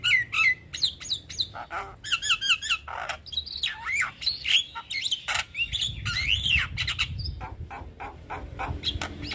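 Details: Javan myna singing in a master recording meant for young birds: a fast jumble of harsh squawks, clicks and warbled whistles, dense and varied throughout.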